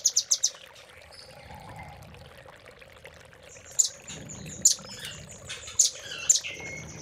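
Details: Velvet-fronted nuthatch tutor song for training caged birds: a burst of sharp, very high chips at the start, then a pause with faint background, followed by scattered piercing high notes spaced about a second apart.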